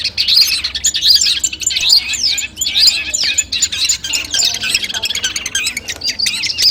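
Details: Long-tailed shrike song from a compiled training recording played to birds as a nerve test before a song competition: dense, fast run of high chattering, squeaky notes and short whistled slurs, almost continuous with brief pauses.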